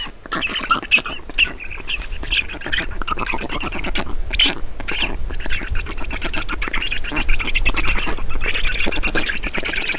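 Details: Black storks at a nest in Estonia during a feeding, 5 June 2019 at 16:28: dense, harsh, rasping chatter of rapid squawks, continuous and rising in intensity toward the end, with low rumbling background noise.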